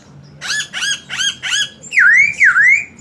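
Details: A Chinese hwamei in full song, with magpie-robin mimicry mixed in. Four rich, buzzy harmonic notes are evenly repeated, followed by two loud, clear V-shaped whistles that swoop down and back up.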